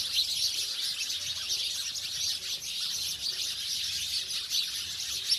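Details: A noisy gathering of house sparrows, now settled in villages, fills the air with quick, shrill, overlapping chirps at a constant pace.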